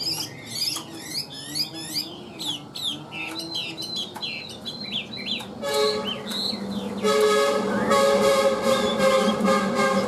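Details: A Chinese hwamei, about 85% tame, with a very steady voice, sings rapid, varied, rich and fluty whistled phrases for about five seconds before a loud, steady horn-like tone drowns it out.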